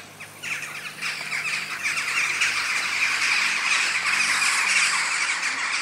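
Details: Sunset roost flight of numerous western jackdaws in Houtwijk, The Hague, Netherlands, 11 October 2015; loud, swelling mass of rapid squawks and chacks from the flock, building after a quieter first half second.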